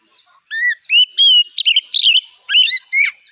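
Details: Oriental magpie-robin song in the morning, meant to draw a reply from other birds: a rich varied run of whistles, some held and some rising or falling, mixed with harsher scratchy notes, delivered rapidly and continuously for several seconds.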